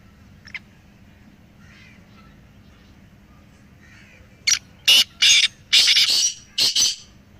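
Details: Black francolins, three birds played to get a quiet pet francolin calling: a near-silent start, then a loud grating phrase of several harsh, rasping notes that builds into a longer burst.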